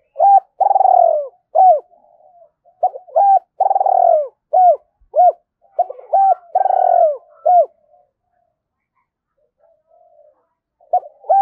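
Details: Spotted dove lure call in the Hai Hau style, used to provoke other doves into calling; repeated cooing phrases, each a long tremulous coo followed by short clipped coos, three phrases then faint quiet coos trailing off.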